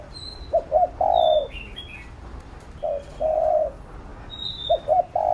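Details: Spotted dove giving a training coo for a young captive dove: stuttering double notes leading into a long mellow coo, repeated three times, with high thin whistles and chirps of other birds.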